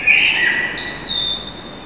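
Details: Resident street blackbird before dawn, 4:15 am, 21 March 2010, back after winter: a short fluted whistle sliding down, followed by a sharp high squeaky twitter, with a quiet constant background hiss.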